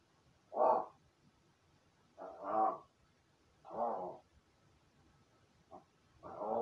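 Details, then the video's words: Pet crow practising calls and speech imitation after playing alone in its room: a run of uneven, hoarse caws of varying length, one very short clipped note among them, irregularly spaced. "一人遊びの後 鳴き声と喋る練習"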